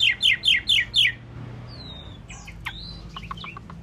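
An Asian pied starling sings a burst of five loud, quick, falling chirps, then a looser run of thin whistles, clicks and squeaky notes over a faint low hum.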